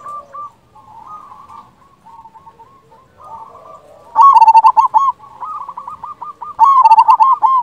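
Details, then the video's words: Local zebra dove cooing, used to lure other doves into answering and to stir breeding drive; soft cooing at first, then loud, bubbling, rolling coo phrases in two bursts with short stuttering notes. "Perkutut lokal gacor Pancingan ampuh sekali putar suara ini 100% bikin nyaut"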